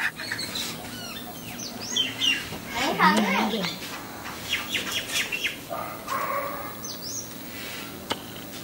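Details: Wild myna visiting a house doorstep in Sri Lanka. It gives a burst of harsh, descending chirps and squawks mixed with sharp high notes, and people talk nearby.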